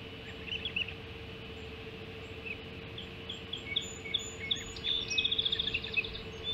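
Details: Ospreys during a double helping of first breakfast at the Hog Island nest, dawn of 7 July 2016; sparse high chirps give way after five seconds to a fast burst of shrill, repeated piping notes over a low continuous hum.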